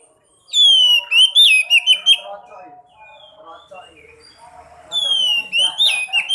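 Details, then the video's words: Sekoci song used to get a quiet caged sekoci singing: a loud falling whistle and quick slurred notes, a quieter murmuring pause, then the falling whistle and notes again. "Pancing burung sekoci yang males bunyi"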